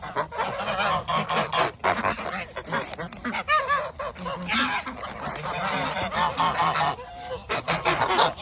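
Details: Several domestic geese at snack time before bed, calling in a busy overlapping chorus of nasal honks and short cackling notes, loud and nearly continuous with brief pauses.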